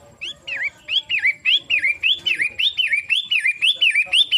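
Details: Long-tailed shrike singing: a fast series of whistled, wavering notes that dip and rise, repeated about three times a second for over four seconds, with a faint low rumble beneath.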